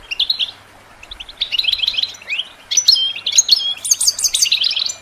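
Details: Goldfinch singing for songbird training: a run of rapid, high, tinkling twitters and brief rising slurs that grow busier and climb higher toward the end.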